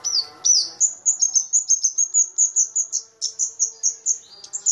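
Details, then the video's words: A flowerpecker (kamade, also called cabe-cabean, a small bird with a loud, ringing song) gives a rapid series of thin, very high, sharp tsit notes, about four or five a second, over a faint low hum. "Pancingan Cabe-cabean"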